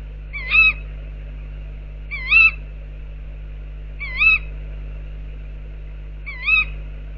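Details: Four short, wavy calls spaced about two seconds apart come from tawny owls outside an owl box, against a low continuous electrical hum.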